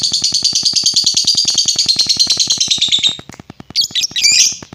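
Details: Lovebird sound meant to provoke other lovebirds: about three seconds of fast rattling trill, then a pause and two loud harsh squawks, with soft steady ticking behind.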